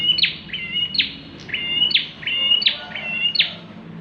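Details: A bar-winged prinia in full, persistent song used for luring other birds: about six phrases in four seconds, thin level whistles each snapping into a harsh falling sweep.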